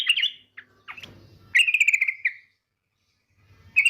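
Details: Trilling 'ngetir' call of a female yellow-vented bulbul calling the male: a few short scratchy notes, then one buzzy rattle lasting under a second, followed by silence and the start of another rattle.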